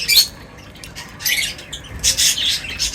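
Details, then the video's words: Birds at feeding time give quick, high, scratchy chirps in short dense bursts separated by brief lulls, with several birds calling at once over a soft background hiss. "Birds Feeding Time Sounds | Birds Chirping sounds"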